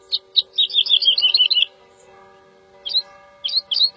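A woodlark sings a rapid series of liquid, fluty notes that slides gently downward, then after a pause starts new phrases. A steady low hum runs underneath.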